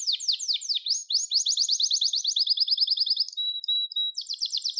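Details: Gloster canary song, used for song training and stimulating canaries: quick downward-slurred notes open into a long, even rolling trill, then a brief pure whistle and a bright, fast trill to finish. Clean recording with no other sounds.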